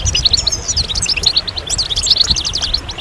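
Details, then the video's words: Massed European goldfinches in lively chorus, a recording meant to excite males into singing after moult: quick tinkling twitters and clipped, bright chirps tumbling over one another without pause, with low rumbling noise beneath. "ستستة وبتبتة جماعية للحسون"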